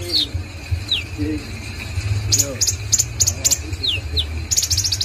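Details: Konin bird singing actively, with high downslurred whistles and bursts of rapid sharp chips, set against a steady low hum and background chatter.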